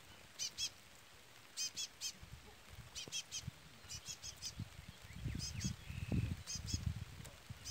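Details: Chestnut-bellied seed finch (curió pardo) recording with a chick peeping continuously: sharp high peeps in pairs and triplets, a brief steady whistle near the end, and low rumbling handling noise in the second half.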